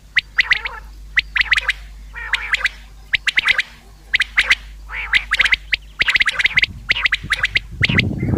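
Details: Common quail call used as a hunting lure: short clusters of sharp, bright pulsed notes, repeated roughly once a second for about nine bursts, ending in a brief rush of noise.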